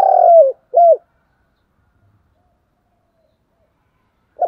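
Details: Spotted dove, a decoy bird, giving a fighting call: a loud falling coo, then a short arched note, followed by long silence and the start of another coo at the end.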